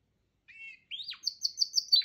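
Canary song: a short nasal note, then a rising sweep into a fast run of bright, repeated high trills, ending in a rougher burst. No other sounds.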